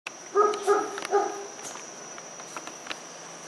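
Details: Dusky-legged guan, one of two seen at a country condominium in Pereira, Colombia, around 5:30 pm on 25 November 2021, gives three short nasal honks a third of a second apart over a high insect whine.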